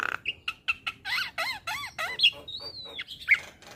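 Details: Javan myna song used to tutor young birds: short whistled notes, a run of repeated arched chirps, then a long high drawn-out whistle gently rising and falling, followed by a sharp squeak.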